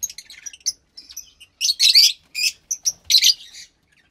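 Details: Fischer's lovebird chick about 15 days old, kept by its breeders, producing soft ticking chirps that build into loud rasping, buzzy squeals in quick bursts.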